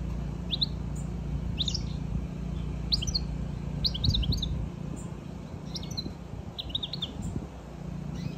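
European goldfinch giving quick bursts of bright, tinkling chirps and twitters, several notes at a time, over a steady low rumble.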